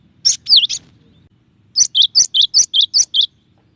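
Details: Cinereous tit in varied song: a few sharp chirps and a down-swooping whistle, then, after a short gap, a quick even series of about eight clear, high, repeated notes.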